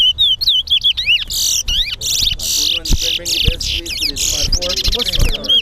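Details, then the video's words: At a Guyana National Stadium singing contest, a towa towa gives clear whistled notes that swoop up and down, then rapid high rasping trills and more bent whistles, with faint crowd noise below. "TOWA TOWA BIRD SINGING COMPETITION"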